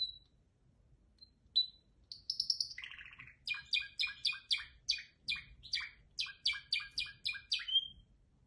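A canary sings a bright, high song: thin whistles and a buzzy trill, then a fast run of repeated chipping notes, about four a second.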